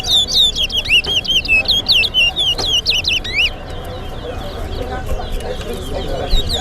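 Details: Towa towa bird singing in a whistling competition between Georgetown and Berbice birds at Lusignan Bird Ground: rapid, high, sweeping whistled notes rolled together in a lively run for about three seconds, then softer, sparser notes under crowd murmur.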